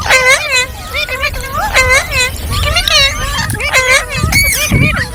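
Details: Green parrot chirps in steady clusters of bent, ringing notes, repeated about once a second, with several birds calling together and some low background rumble.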